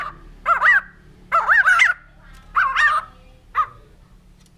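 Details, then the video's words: Four short wavering whistled phrases from a white-crested laughingthrush, rising and falling in pitch and spaced roughly a second apart, over a low steady hum. "Poksay Jambul Putih || Burung Tertawa"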